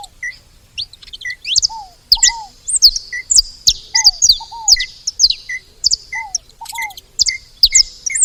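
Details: Saffron finches gathered at a feeder, giving scattered high, sharp chirps and short tweets, mixed with repeated mid-pitched paired downslurred notes and brief lower chip notes.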